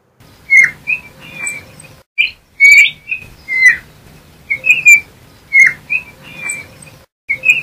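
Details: Yellow-backed Oriole (Icterus chrysater) song: repeated short phrases of bright, slightly burry whistled notes, each group lasting under a second, with soft background hiss and faint low hum between phrases.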